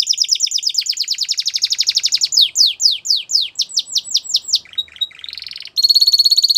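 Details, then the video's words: Belgian canary song with a rapid high trill passing into descending slurred whistles, then a jumble of quick varied notes and a final steady, piercing high trill. "Melodies Canary Bird Song | Belgian Canary Singing"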